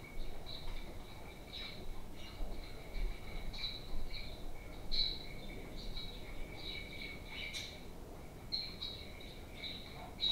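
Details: Continuous budgie chatter from playful pet parakeets: high, buzzy chirps and twittering notes repeated about once a second, now and then a sharper squeak, against soft room noise.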